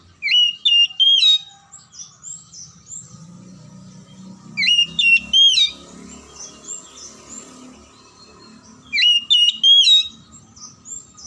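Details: Oriental magpie-robin song as a stimulus for silent or lazy magpie-robins: three loud phrases of clear whistles and sharp upswept notes, roughly every four seconds, separated by softer high chirps and a faint low hum.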